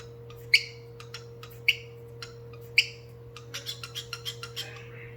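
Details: Beatboxing cockatiel gives three loud chirps about a second apart with faint clicks between, then breaks into quicker, softer chattering notes toward the end. A low hum runs throughout.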